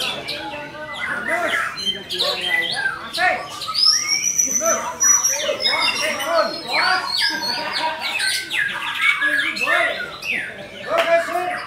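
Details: Murai batu, the white-rumped shama, in continuous 'full isian' song: rich, loud, varied phrases mixing high thin whistles, buzzy chatter and quick slurred notes with scarcely a pause.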